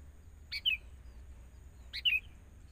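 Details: Young wild sooty-headed bulbul during training, with a decoy bird set out to draw nearby birds: two short, bright chirped phrases about a second and a half apart, each a quick downslurred double note, over a low steady hum.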